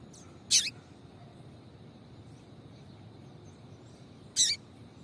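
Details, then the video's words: Female seedeater call meant to stir males to sing: two short, high, slightly buzzy chips almost four seconds apart, the second a little longer. A soft steady hum lies behind them. "MELHOR PIADO DE FÊMEA DE PAPA-CAPIM PARA DEIXAR SEU PAPA-CAPIM DOIDO PARA CANTAR LOGO!"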